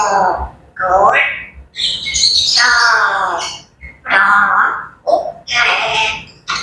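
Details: Pet grey parrots chattering in the morning: a run of varied harmonic squawks, warbles and speech-like gurgles in bursts of about a second, with short gaps between phrases, close and loud indoors.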